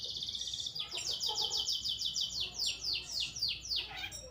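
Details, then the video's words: Caged Pastol long-tailed shrike singing in earnest, recorded to train other birds: a high buzzy tone followed by a fast series of about fifteen repeated, descending, buzzy notes. "Burung Cendet Pastol Gacor Dor"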